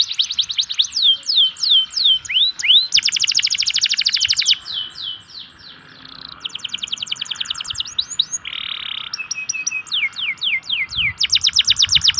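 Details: Local canary lure song for canaries reluctant to sing. Varied phrases include fast trills of falling sweeps, a dense rattling burst, a short buzzy note and spaced whistled slurs, with short pauses between sections.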